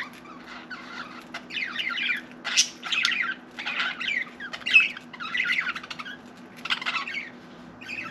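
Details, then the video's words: Pet budgerigar warbling indoors: a steady stream of raspy chirps, clicks and bright squawky notes in short overlapping phrases, with a quiet hum beneath. "Budgie Sally Bird Wants to Talk"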